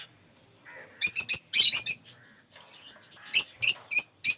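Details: Lovebirds in a mixed-mutation aviary collection let out harsh, high squawks in quick clusters of two or three, separated by softer, lower chatter.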